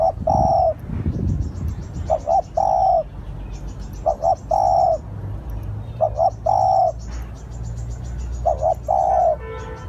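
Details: Spotted dove used as a decoy, cooing repeatedly: two short hoots then a long sustained note, five phrases in ten seconds, with low thumps at the start and rapid high chattering of small birds behind.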